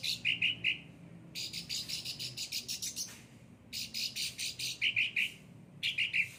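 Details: Cucak ranting in lively song: a few bright buzzy trilled notes, then a long rasping rattle of rapid harsh pulses, then more trilled notes, all repeated in quick sequences.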